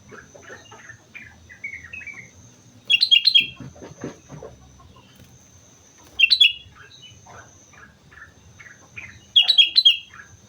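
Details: Sooty-headed bulbul singing actively at Mount Slamet: short whistled notes, some slurred and falling, in loose phrases, broken about every three seconds by a loud, sharp, bright burst of high notes, with faint low background rumble.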